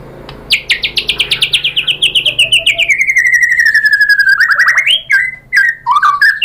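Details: White-rumped shama lure song: a rapid buzzy trill starting high and gliding steadily lower over four seconds, followed by a few loud, swooping whistles.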